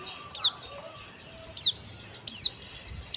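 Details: White-eye song in the dakbal style, played as therapy to get birds singing: thin, very high, sharply falling notes come every second or so over a steady background hiss.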